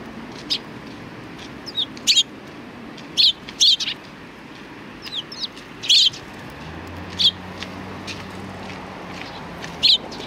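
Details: Sparrows at a Tenmangu shrine, 3 July 2020, greeting an arriving visitor: sparse, isolated sharp chirps every second or so over steady background noise, with a faint low hum midway.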